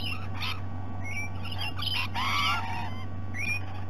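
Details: Rainbow lorikeets visiting at breakfast time at Sydney Olympic Park, Australia, in 2018; harsh, screechy bursts mixed with short thin whistled notes, scattered through the moment over a steady low mechanical hum.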